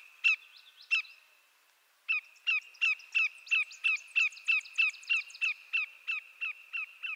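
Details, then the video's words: Greater Yellowlegs, a Canadian shorebird of eastern North America, giving loud, ringing whistled notes, a couple at first, then a steady run of about a dozen, roughly three per second. "Greater Yellowlegs Sound"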